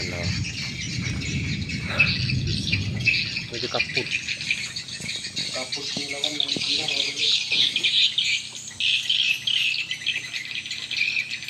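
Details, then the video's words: Swiftlet lure sound meant for new or poorly productive swiftlet houses: a dense, continuous twittering of high chirps and buzzy trills, with a low rumble during the first three seconds and a few scattered clicks. "suara walet original"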